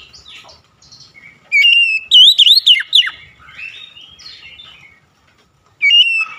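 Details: Oriental magpie-robin singing a fast phrase of bright, swooping whistled notes that rise and drop sharply. After a softer twittering pause, the same whistled phrase starts again near the end.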